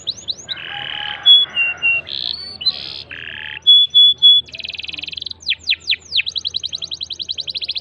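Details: Canary song played to spur a non-singing canary: varied buzzy blocks, short clear whistles and harsh bursts, followed by fast rolls, steep downward sweeps and a closing quick trill.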